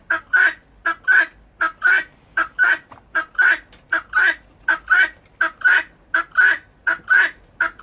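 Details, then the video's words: Urban-kept Helmeted guineafowl chattering in harsh, grating notes repeated more than once a second, their normal loudest everyday chatter rather than their much louder alarm call. "So I won't deny, guinea fowl are chatty, but that really, what you just heard, is the loudest they're going to get normally."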